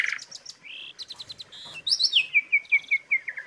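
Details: Asian pied starling phrase mixing short chirps and a level whistle, then a run of about eight sharp descending notes repeated quickly and evenly.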